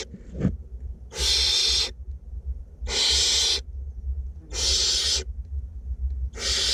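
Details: In a nest box in north Glasgow, two barn owlets being fed make four drawn-out, wheezing screeches spaced about every one and a half to two seconds, after a short low knock.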